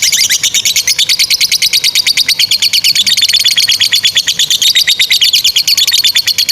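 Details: Lovebird, a kept fighter bird, delivering a long continuous chattering trill used as a training model for young birds: rapid high buzzy notes repeated about three times a second, loud and steady throughout.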